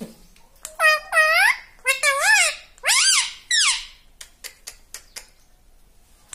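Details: Pet parrot talking, mimicking the word "papa": several loud, squeaky, rising-then-falling syllables in quick succession, followed by fainter clicks and soft taps.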